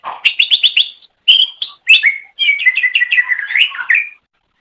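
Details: Green leafbird (cucak ijo) master song recorded for training songbirds. Fast stuttering chips open, then rich whistles and a rolling, jumbled warble of mixed notes, with a clean silent background.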